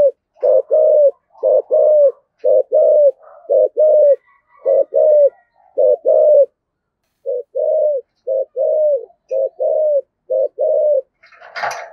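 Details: Spotted dove used as a decoy, singing in the "giọng thổ" style. Low, falling coos repeat roughly once a second with one brief pause, and a short burst of noise comes at the end.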